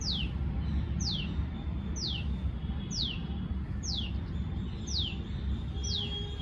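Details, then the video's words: Tailorbird giving a long call: sharp, high notes that slide steeply downward, repeated about once a second, seven notes in all, over a constant low rumble. "Tailorbird sound| Call"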